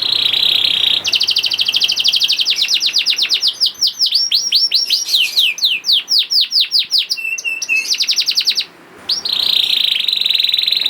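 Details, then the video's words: Juvenile canary performing a lure song to make other canaries sing: opens on a steady buzzy tone, then fast trills, cascading downslurs and flat notes, a short gap, and the buzzy trill again. "PANCINGAN KENARI PAUD TERBUKTI AMPUH MEMANCING KENARI SUSAH BUNYI IKUT GACOR #254 || VOICE OF CANARY"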